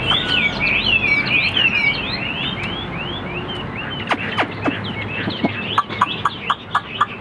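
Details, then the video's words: A caged hwamei, sold as a good singer with a big frame and fanning display in fights, pours out rapid looping whistles for about two seconds, then falls to scattered notes and a string of sharp regular clicks. "BỘ TO DÁNG NGŨ TRƯỜNG - ĐẤU XÒE - HÓT TỐT"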